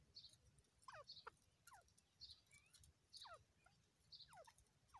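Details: Grey francoline call used for catching francolins in the jungle: a repeated series of descending whistled notes with high squeaky onsets, about one per second, over low background rumble.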